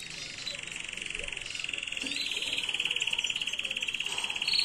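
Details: Error-free canary song used as a tutor recording for young birds, 2022: a continuous, fast, buzzy trill of evenly repeated notes, growing slightly louder, with brief higher whistled accents near the close.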